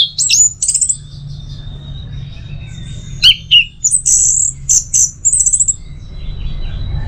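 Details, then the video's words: Orange-headed thrush song for masteran and teler stimulation: fluty high phrases and a long thin whistle, then dense bursts of twisting, buzzy-edged notes, with a steady low hum throughout. "Masteran sekaligus Pancingan Burung ANIS MERAH Agar Selalu Bisa Menikmati Telernya setiap saat"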